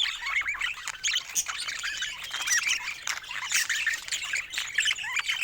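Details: Several pet budgies keep up a busy, continuous warbling chatter of rapid squeaky chirps and little rising whistles, with no pauses.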